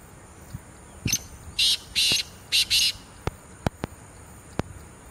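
Black francolin giving its breeding call: a harsh, grating phrase of about five rasping notes in just under two seconds. A few sharp clicks follow, over a faint steady hiss.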